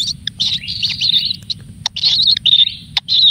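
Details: Kingfisher chick receiving plenty of food: loud, rasping high calls in sustained bursts, broken by brief pauses and sharp clicks, over faint low background noise.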